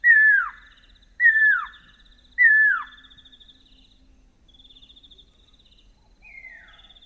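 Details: Pearl-spotted owlet pair duetting at night in Northern Tuli Game Reserve, Botswana, African bush: three loud, down-slurred whistles about a second apart over a softer, rapid trill of high notes, female giving the more distant, higher phrases.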